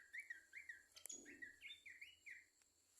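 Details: Babbler song: a series of clear whistled notes, each rising then dipping, given in quick succession for about three seconds with a brief click midway.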